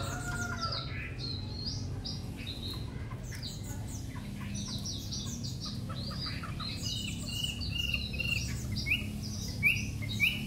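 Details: Three-month-old white-rumped shama kept in a cage in Hanoi, singing long and continuously: quick varied whistles and slurred chirps, ending with sharp rising notes repeated about every second, over a low steady hum.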